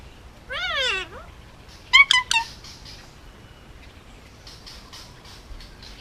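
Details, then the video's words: Male Indian ringneck parakeet, almost two years old, hand-raised on Oahu, Hawaii, kept as a pet: a rising-falling harmonic squawk, a pause, then three quick sharp chirps, followed by faint scratchy noises. "Indian ringneck talking and making noises"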